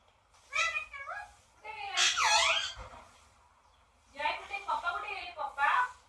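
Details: Parrot vocalizing indoors in speech-like phrases, with bending, harmonic, squeaky notes in three bursts. A loud squealing sweep is followed by a pause, then a string of chattering, rising squeaks.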